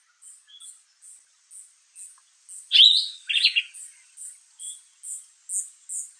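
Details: A sombre greenbul calling from within a tree in forest at Kirstenbosch Botanical Gardens, Cape Town, gives one loud, sharp, slurred phrase under a second; thin, very high ticking repeats about twice a second, with sunbird and white-eye in background.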